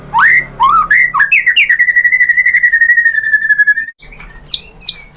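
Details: White-rumped shama lure song to stir singing: rising whistles, then a long even trill of fast repeated notes for about two seconds, ending with a few high sharp notes.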